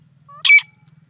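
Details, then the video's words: Grey francolin giving a single loud, harsh, strongly harmonic note, preceded by a thin faint lead-in tone, with a quiet low hum underneath. "pela teeter,silver teeter ke awaz,grey francolin awaaz tetar"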